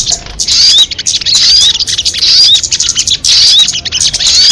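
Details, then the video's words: Crested jay call, presented as a highly effective MP3 recording: harsh, buzzy high bursts with short rising whistled notes on top, coming in clusters about once a second with brief gaps between them. "Suara MP3 burung sogon kamade paling jitu"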